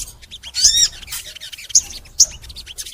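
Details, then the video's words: Crimson sunbird in long, energetic full song, recorded as a training track to prompt other sunbirds to sing; sharp high chirps and short down-slurred whistles come in bursts, with quieter ticking notes between them. "MASTERAN SOGON FULL NEMBAK! Suara Sogon Gacor Panjang | Pancingan untuk Sogon Biar Rajin Bunyi"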